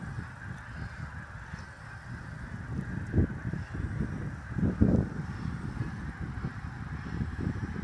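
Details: Migrating snow geese at sunset at Middle Creek Wildlife area: a steady low wash of many overlapping honking calls from a big flock, with a few louder honks standing out midway.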